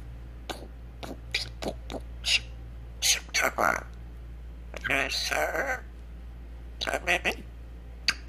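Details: Grey parrot (Psittacus erithacus), beatboxing mimicry.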